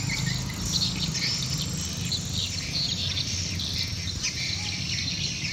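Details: A swiftlet colony swarming over a residential settlement in Sengkang, Wajo, South Sulawesi, Indonesia. Dense, overlapping high twitters and short chirps run without pause, layered over a steady low rumble of background noise.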